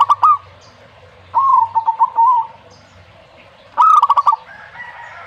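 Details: Zebra dove giving three staccato cooing phrases, each a run of short pulsed notes. A higher, smoother sound from another source enters near the end.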